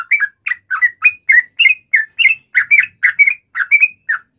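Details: Provoked fighting call of the yellow-vented bulbul: crisp, liquid chirps in quick pairs, many ending in a rising whistle, spaced about a quarter-second apart in an eager, continuous run.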